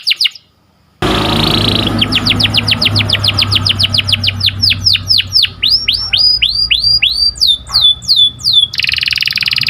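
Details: Canary singing in the morning with a varied, melodious stream: rapid downslurred notes in long series, slower sweeping whistles, then a high buzzy trill, all over a faint low hum.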